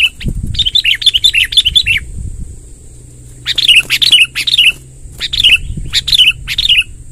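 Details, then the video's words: Sooty-headed bulbul singing a long rolling song to draw in wild bulbuls: a rapid string of bubbly warbled notes, a brief gap, then repeated phrases about every half second, with low thumps and a steady hiss. "suara tembakan BURUNG KUTILANG NGEROL PANJANG | gacor kumpulkan kutilang liar"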